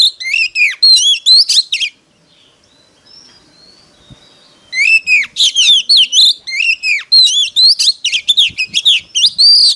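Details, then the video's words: Competitive song of a decoy Oriental magpie-robin meant to attract wild rivals: dense, fast sequences of bright whistled and twittering notes, a short silence, then a long unbroken stretch of varied rising and falling phrases. "Choè than mồi || SIÊU GỌI BỔI || Chích choè than hót đấu"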